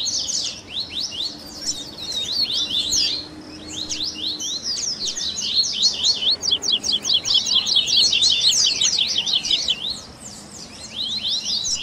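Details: Double-collared seedeater baderna in the tui tui style, with grego, viviti, flauteado and 3ª nota variations, used for training; high whistled phrases give way to a fast, tightly repeated trill, then quieter chirping.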